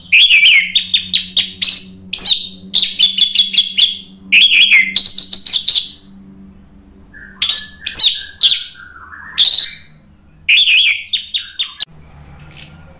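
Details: Orange-headed thrush (anis merah) delivering a lively, provocative song to make other birds answer: rapid bursts of sharp chirps, slurred whistles and rich warbled phrases in quick succession, with short pauses and a steady low hum beneath.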